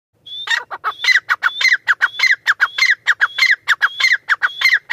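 Grey francolin calling in loud, harsh, rhythmic phrases, each opening with a thin high whistle and falling into repeated ringing notes, about two per second.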